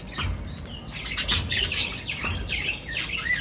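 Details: Feeding birds give quick high chirps and short downward-slurred whistled notes in uneven runs, over a low rumbling background.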